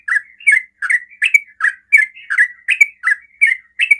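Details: Yellow-vented bulbul singing a very fast ropel-style song meant to provoke other bulbuls to answer: rapid bubbly chirped notes, each dipping then rising, repeated about twice per second with no other sounds.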